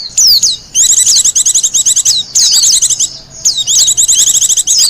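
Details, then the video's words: Wild Japanese white-eye song for luring and master training: sharp downslurred whistles opening into quick high twittering runs, repeated in bursts. "Suara burung pleci liar,cocok buat pikat dan masteran."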